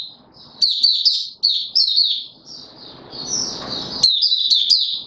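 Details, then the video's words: Caged male white-eye, 31 December 2021, pushed for singing form: a series of fast high chirruping phrases, a soft rustling interlude, then another quick sharp twittering burst. "Mata Puteh - Raja V2 Pushing him on form buka sing"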